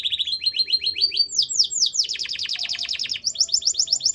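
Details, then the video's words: Canary singing in varied tours: quick trilled notes, a few rising slurs, a dense rapid rattle, then high chipping repeats. "Your Canary WON'T STOP SINGING After Hearing This!"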